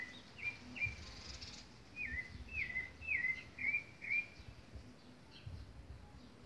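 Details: A thrush (sabiá) singing in a backyard, giving a run of clear whistled notes that drop slightly in pitch, about two per second, then pausing, with steady faint background noise.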